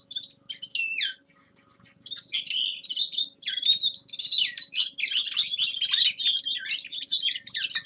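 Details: Young male linnet warming up its winter song: two clear descending whistled notes, a pause, then an increasingly dense run of high twitters and trills.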